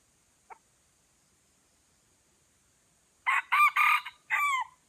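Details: Red junglefowl in Aceh, two wild birds drawn in by a lure bird. A faint short note, a pause, then a loud multi-part crow: several harsh broken syllables ending in a drawn-out falling note.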